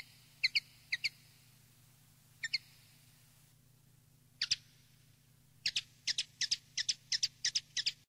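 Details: Field-style common linnet song played to educate young linnets: scattered paired chirps with pauses, building into a quicker run of bright twittering notes toward the end, over a steady low hum.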